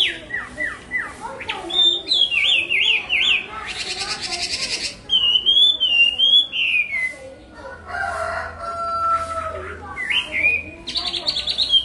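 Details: Chinese hwamei (họa mi) song with falling whistled notes, buzzy rapid passages, a long wavering whistle, a flat steady tone and a faint low hum beneath.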